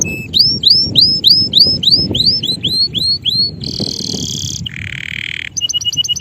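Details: Singing male canary delivering a series of upward-sweeping whistled notes roughly four per second, followed by a dense high buzzy roll, a lower rattling buzz and a quick run of sharp chips, with light low rumble behind.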